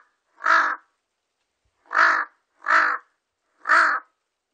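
A large-billed crow gives four harsh, hoarse caws, one then three in quicker succession, against a quiet background.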